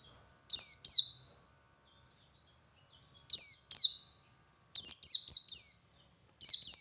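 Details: Male Oriental white-eye singing ngalas style to coax others into singing: short groups of two to four bright, high downward-sweeping chirps, broken by silent gaps of about two seconds, in a clean recording.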